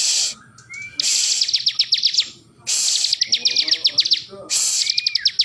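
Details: Hand-held Bar-winged prinia continuing to sing in its owner's grip: three bursts of rapid high clicking notes, each with a brief rising whistle, separated by loud rustling noise; a man's voice is faintly heard.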